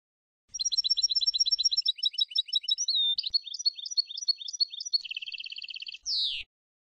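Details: Tunisian European goldfinch singing a Sfax-style song for training listening birds: rapid tinkling twitter of high repeated notes, a brief slurred whistle, a dense buzzy trill, and a final downward sweep.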